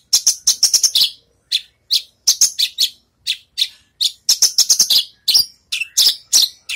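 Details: Javan bush lark just out of its moult, practising its song: rapid bursts of sharp, high chirped notes in quick clusters, broken by brief pauses, with nothing else audible.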